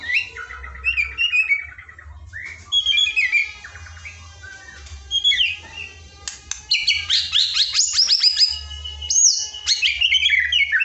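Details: White-rumped shama song used as masteran filler training for a shama reluctant to sing: rich, varied whistled phrases, rapid chattering trills and sharp rising notes in quick bursts, with a low steady hum beneath.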